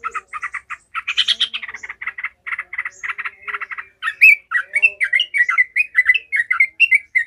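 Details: Yellow-vented bulbul in an agitated, emotional cackling mood, used to toughen other bulbuls for fighting: a fast stuttering chatter of rasping notes shifts into a string of sweet, bubbly whistled phrases.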